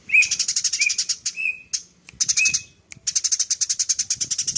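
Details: Eurasian tree sparrow in full nyrecet chattering, kept as a master bird for training cucak ijo, cendet, murai and pleci. Rapid trains of dry, ticking notes come in bursts with short pauses, broken by brief rising whistled slurs.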